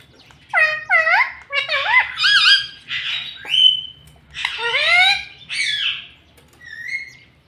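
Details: Talking pet parrot that says mummy, papa and mitthu: a run of loud, rich, harmonic syllables, swooping up and down like spoken words, with short pauses between phrases, indoors.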